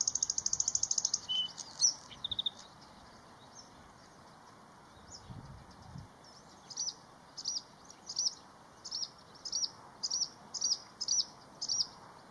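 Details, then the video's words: Bluethroat song in spring, taped briefly while waiting for a heron: opens with a fast high buzzy rattle and a few chirps, then a series of sharp high ticking notes repeated about twice a second over steady background hiss. "Песня варАкушки"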